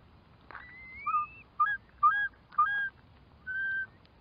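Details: Clear curlew calling: a long rising whistle followed by a run of short, steady whistled notes repeated about every half second against a quiet background.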